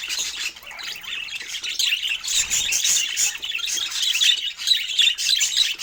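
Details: Budgerigars enjoying fruit, chirping in rapid, loud bursts of squeaky warbles and sharp tweets, fluctuating in intensity.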